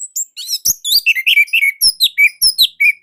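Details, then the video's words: Caged orange-headed thrush from Indonesia singing its loud, dense, unique song, used as master material for young birds: a fast stream of varied slurred whistles and sharp chirps, nearly a dozen notes per second. "Kicaumania Anis Merah Indonesia//Gacor Nonstop."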